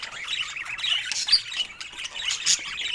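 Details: Happy pet budgies chirping: a rapid, wavering warble of overlapping chirps and squawks in a high register, rising and falling continuously, with a few sharper squeaky notes near the middle and end.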